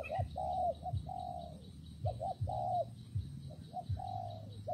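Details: Spotted dove cooing in rainy, windy weather: soft mid-pitched coo phrases, each a few short notes then a long, slightly falling note, repeated several times over a steady low rumble.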